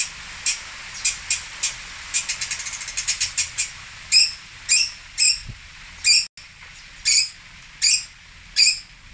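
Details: Pentet from Singosari, a long-tailed shrike, giving clipped scratchy notes that speed into a rapid ticking series, then slower, louder harsh rasps spaced roughly half a second apart.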